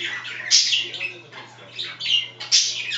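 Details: Pet budgerigars chatter, with one scratching itself, in a fast, scratchy warble with squawky bursts about every second; a faint low hum runs underneath.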